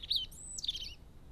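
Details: Crested tit at a garden bird feeder: two quick bursts of thin, high chirping, the first a sharp falling note, the second a jumbled run of bright twittering notes with a thin whistle between, over low background rumble.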